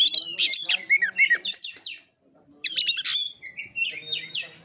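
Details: Oriental magpie-robin singing in kura-kura fighting style: two dense bursts of high chattering, buzzy notes and gliding whistles split by a brief silence, ending in a run of descending slurred whistles.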